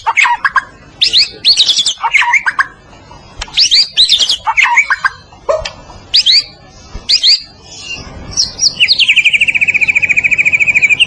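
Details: White-rumped shama, known as murai batu and of the Medan type, singing gacor masteran song: harsh, squawky notes at uneven intervals, ending in a steady, rapid, pulsing trill.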